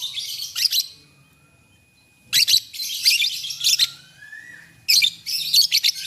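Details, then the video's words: Lovebirds in the morning, answering one another: loud bursts of harsh, buzzy, high chirps in rapid clusters, broken by pauses of about a second, with a thin rising whistle between bursts. "SUARA BURUNG LOVEBIRD PAGI HARI. 2 DETIK LANGSUNG BERSAHUTAN."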